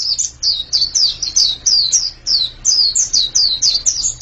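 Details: Short burst of white-eye song: crisp, high descending whistles, some paired, delivered about three per second with brief dips between phrases.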